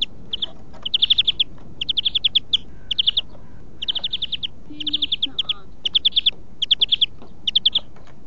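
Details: Greenfinch song played for training captive birds (huylandırma): almost unbroken series of short rattling trills, about ten bursts of quick repeated notes, with one brief low tone midway.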